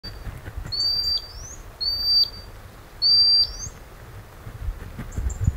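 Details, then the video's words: Common sandpiper (Actitis hypoleucos) calling its young near its breeding site by a river in the North of Scotland: three high, thin whistled calls about a second apart, each a flat note ending in an upward flick, over low rumble. "Common sandpiper (Actitis hypoleucos) calling its chicks."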